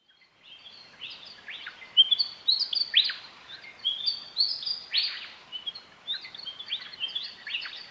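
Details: Several Willie Wagtails in a dawn chorus in Outback Australia, sung in the dark with all birds sharing the same regional dialect song, counter-singing: sweet high chattering phrases traded back and forth between near and distant birds.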